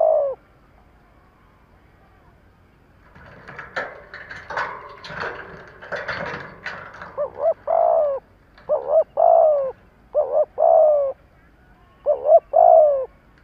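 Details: Spotted dove kept as a decoy, cooing to provoke rivals; after a quiet start and several seconds of rustling, clattering noise, clear paired coos, short then long and falling, follow in steady series.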